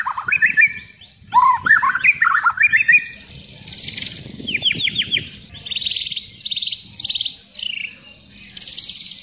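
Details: White-rumped shama giving a full isian song of imitated sounds. Looping warbled whistles rise and fall, then come bursts of dry noisy rasps and chips. A steady low background hiss runs throughout.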